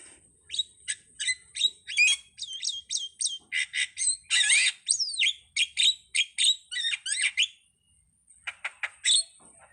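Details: Starling in full varied song: a rapid medley of clicks, squeaky slurs, buzzy bursts and looping whistles, nearly continuous for eight seconds before a short pause and a few final notes.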